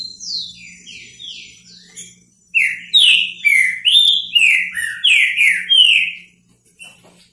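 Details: Repetidor bico fogo song of a Green-winged saltator. Quiet sliding whistles open, then a loud run of strong, downward-slurred whistled notes about twice a second, ending abruptly, with a steady low hum throughout.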